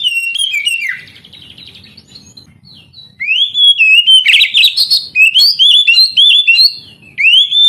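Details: Song of an oriental magpie-robin, used to get young canaries singing. Quiet warbling and faint rumble come first, then loud phrases of rising whistles, harsh rasping notes and quick repeated looping whistles at a lively pace.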